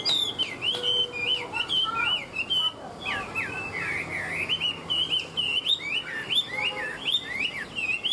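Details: Tame caged Chinese hwamei singing in the ngũ trường style, a bird described as a good fighter: rich, loud whistled phrases of rapid looping and slurred notes, switching pitch constantly, with short pauses between bursts.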